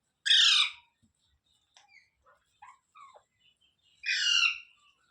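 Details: Pet rose-ringed parakeet, or ringneck, opening with a loud raspy squawk, then soft scattered chatter and whistly notes, and a second harsh squawk about four seconds later.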